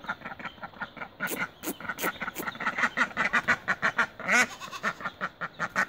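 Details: Mallard with its newborn ducklings, calling in loud, rapid nasal quacks, about two per second, building into an insistent rhythmic series with a few sharp clicks early on.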